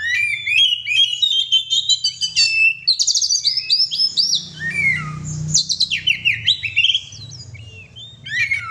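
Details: Pet oriental magpie-robin in full, lively song: a rapid stream of varied whistles and chirps, dense twittering then sweeping downslurred notes and sharp repeated calls, with a soft low rumble in the background.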